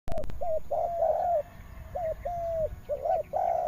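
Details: Spotted dove in the Mekong Delta region of Vietnam cooing. After a few sharp clicks at the start come mellow, hollow coos in short phrases: brief notes followed by longer drawn-out ones, with a pause midway.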